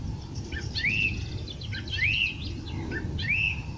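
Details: Song thrush recorded in Portugal repeating one clear, arched whistle three times about once a second, each whistle framed by softer scratchy notes, with a steady low background rumble.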